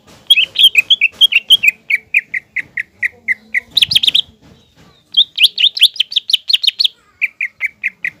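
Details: Green leafbird singing strongly to stir a spotted young leafbird into fighting mood: long rhythmic series of repeated whistled chirps, a dense burst of high warbling, a pause, then more warbled runs and slower chips.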